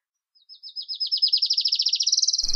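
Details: Adelaide's warbler, a species native to Puerto Rico, singing a rapid, swelling trill of about twenty-five sharp high notes that grow louder and rise slightly toward the end, cut off by a brief low thump.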